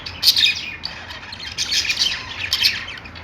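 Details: Caged budgerigars in a pet store chirp in a busy chorus. Sharp high tweets and scratchy warbles overlap, with louder bursts near the start and end.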